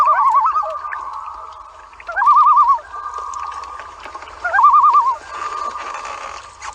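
A loon gives rapid, quavering, warbling calls in three bursts, each trailing into a steady held note.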